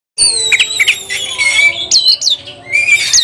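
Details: White-rumped shama, agitated and seeking a rival to fight, singing loud varied phrases of high whistles, sweeping slurs and harsh notes in rapid bursts with brief pauses.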